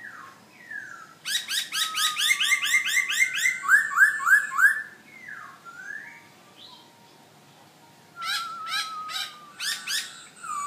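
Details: Black-throated laughingthrush, a kept cage bird from Hanoi, Vietnam, singing: bursts of rapid harsh stacked notes over a steady whistled tone, then loud slurred whistles, a quieter pause, and another rapid burst.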